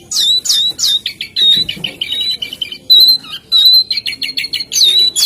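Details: Jongkangan song of repeated sharp whistled chips in short groups, interspersed with sustained clear whistles and stuttering rapid notes.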